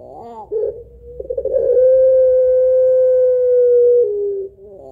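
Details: Pelung-type Barbary dove singing its long, rhythmic kuwok song as a lure for other birds: rippling, laughing notes first, then a smooth sustained coo of about two and a half seconds that slides lower as it fades.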